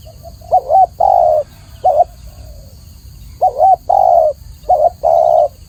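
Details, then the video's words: Tekukur (spotted dove) giving clear, low coos: a wavering short note followed by a longer held note, with a lone short note and soft trailing sounds between; faint constant whine above. "masteran burung tekukur atau spotted dove suara jernih"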